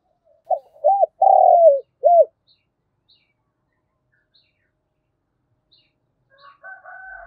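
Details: Decoy spotted dove's morning lure call for wild doves: a single phrase of two short coos, a long vibrant falling coo and a final clipped coo, followed by quiet and a few faint, higher, chattering notes at the end.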